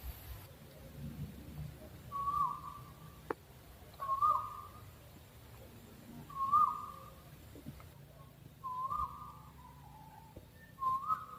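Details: Owl calling repeatedly: six short, steady whistled notes at a middle pitch, one about every two seconds, over quiet background hiss with an occasional click.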